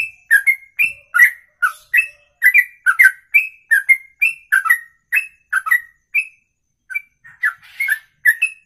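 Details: Songbird delivering a long ropelan song, sustained for over two minutes in one breath; loud whistled notes in a rapid run, about two per second, alternating rising and falling slurs, with a brief rough burst near the end.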